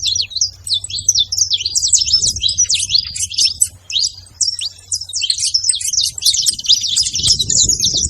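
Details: Continuous singing from a saffron finch: fast, high, scratchy chirped phrases tumbling one after another, with a low hum and some faint rustling noise toward the end.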